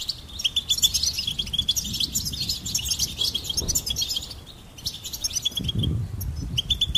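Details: Goldfinch song for bird stimulation: continuous high, tinkling twitter with clipped notes, a brief lull, then renewed chirps, over muffled low thumps.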